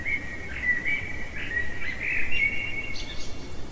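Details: Common blackbird singing in the heart of the night: a continuous run of fluting warbled notes around the mid range, with brief higher twittering near the end over a low steady background rumble.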